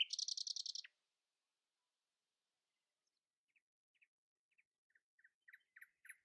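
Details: Common nightingale singing in the early morning, trying to outsing its companions: a loud, dry, rattling trill of about ten rapid notes, then a pause and soft scattered clicks and short chirps that slowly build again.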